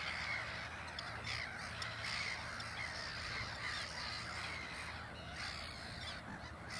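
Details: At Ottersaat on Texel, Netherlands, chicks follow a black-headed gull parent as it walks off. Short, harsh cries sound in quick succession, overlapping with a dense chorus of more distant squawking over low background noise.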